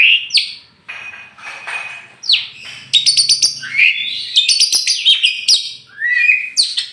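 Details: Oriental magpie-robin, a tame champion from Meulaboh in Aceh, released free before caging. High, sharply slurred whistles and quick staccato chirp bursts form a bright, varied song, with a faint low hum underneath.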